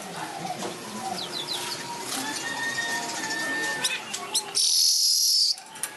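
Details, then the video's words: A manyar (weaver) sings vigorously, chattering and sizzling in a fast, dense jumble of notes, then flaps its wings in a loud burst of fluttering hiss lasting about a second. "Kicau Burung Manyar Gacor Ngepak sayap"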